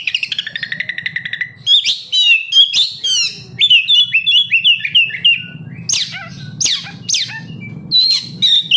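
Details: Oriental magpie-robin song used to make captive birds sing: an opening rattling trill, then a rapid string of varied chirps and sharp downslurred whistles, with low background hum.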